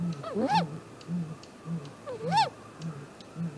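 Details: Nest camera on a great grey owl nest tree, early morning, April 2018: two arching, upslurred whoops about two seconds apart, set against a soft, steady run of very low hoots.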